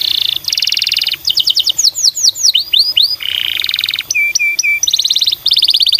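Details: Canary singing as a lure to get other canaries singing: loud rolling trills, a run of rapid swooping whistles, buzzy rattles and three clear repeated notes. The phrases follow each other almost without pause.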